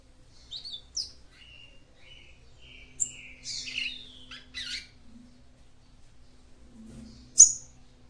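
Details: Female papa-capim seedeater calling to stimulate the male: scattered short, sharp chirps and brief high squeaky notes, with a few thin whistled slurs between them, in a quiet indoor setting.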